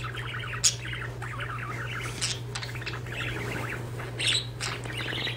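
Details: Two pet budgerigars indoors chirp while playing with blind strings and grooming one another. They chatter in rapid, scratchy warbling chirps over a steady low hum.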